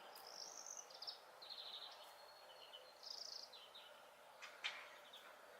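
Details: Greenfinch song in a home garden bird concert in Greece: rapid high trills and a drawn-out nasal note, interspersed with twittering from other songbirds over faint background hiss.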